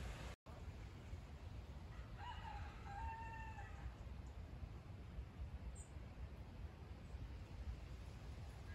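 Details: Rooster crowing in the background at an alpaca field in rural Nottinghamshire, late November; one distant, faint drawn-out harmonic crow lasting about a second, under steady low wind rumble.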